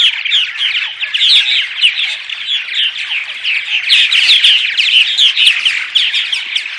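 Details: Morning purple martin vocalizations for attracting the species: busy overlapping croaks, gurgles and chirps from a group, rising and falling in loudness throughout.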